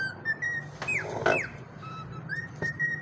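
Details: Cockatiel whistling indoors: a few level whistled notes near one pitch, broken by two quick downward-sliding whistles, with a steady low hum underneath.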